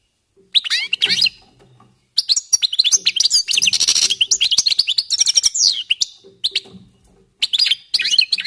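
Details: Warming-up song of European goldfinches: a long, dense stream of rapid bright twitters, trills and buzzy notes, including a fast rattling passage, with short pauses before and after.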